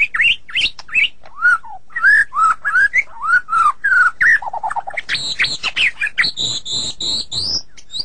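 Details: White-rumped shama said to be sulking, singing looping whistled phrases rising and dropping, a low stuttering run, then high ringing repeated notes.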